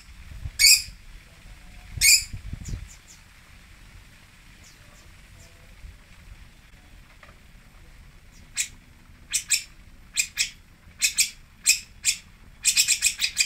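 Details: Long-tailed shrike, known locally as cendet, pentet or toet, at Singosari: two loud harsh rasping bursts near the start, a long quiet gap, then a run of short scratchy clicking notes that quicken toward the end.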